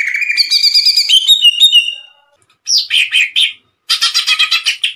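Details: Captive greater green leafbird singing: a sweet warbled rising phrase, then sharp slurred whistled notes and a harsh buzzy chattering burst.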